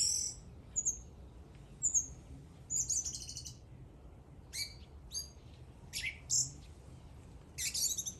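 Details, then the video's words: A bird singing: high, thin whistled notes and short buzzy bursts in scattered phrases, with quiet low background rumble. "The bird is singing."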